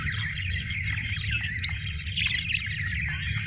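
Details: A budgerigar chatter of buzzy, wavering warbles and quick squeaks runs without pause, with a loud chirp near the middle and a constant low hum behind.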